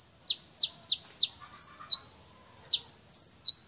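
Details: Brown-throated sunbird in energetic song, a series of four quick sharp descending chips followed by thin high trilled whistles and a stuttering buzzy note, then another chip and more high twittering phrases.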